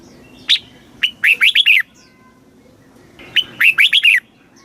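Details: Red-whiskered bulbul song in the southern master-phrase style, played to excite and teach caged birds: two bright phrases, each a sharp high note followed by five quick slurred whistles, separated by a pause of about a second and a half.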